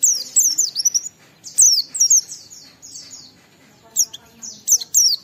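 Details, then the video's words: Lure song of an Oriental white-eye singing hard in ngalas style to prompt other white-eyes: clustered high, thin whistles swooping downward, sung in short bursts with gaps between, a soft low hum beneath. "Burung Pleci Gacor suara Jernih memancing Semua Pleci langsung ngalas"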